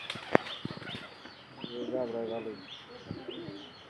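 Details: Desi pigeon giving a single rolling, throaty coo lasting about a second, with a sharp tap and wing flutter just before it and small birds chirping in the background.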